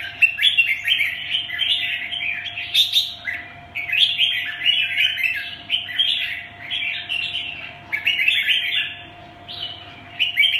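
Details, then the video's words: Red-whiskered bulbul in captivity delivering a lively, nearly unbroken stream of chirpy, jumbled warbling phrases, each burst about a second long with quick high accents; faint constant electrical hum in the background. "Siêu mẫu của Lô 2"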